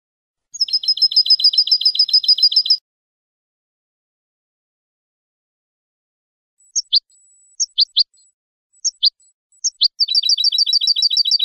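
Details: European goldfinch song for tutoring young birds, recorded clean in 2015. A rapid rattling run of high repeated notes is followed by a long silence, then scattered sharp single notes, then another fast run of notes.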